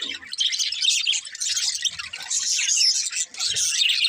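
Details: Happy budgies singing and playing: lively bursts of high twittering and squeaky chirps from several birds, briefly dipping around three seconds before resuming.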